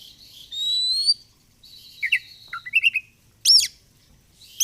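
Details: Oriental magpie-robin in fighter song: a sustained rising whistle, a level buzzy note, then quick paired chirps and a loud sharp high note, with a pause before a final call.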